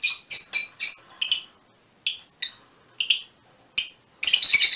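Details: Mutation Fischer's lovebirds utter a series of separate sharp, high squeaky chirps, then a short burst of busy shrill chatter at the close.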